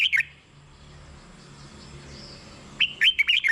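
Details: Red-whiskered bulbul singing, a recording used to excite caged birds: the tail of one whistled phrase, a quiet gap, then a fuller warbled phrase of rapid slurred whistles.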